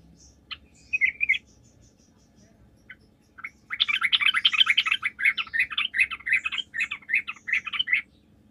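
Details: Sooty-headed bulbul in lively chattering song, used as a lure to make other bulbuls answer; a few short bright notes, then about four seconds of rapid bubbly, buzzy warbled phrases repeated without pause.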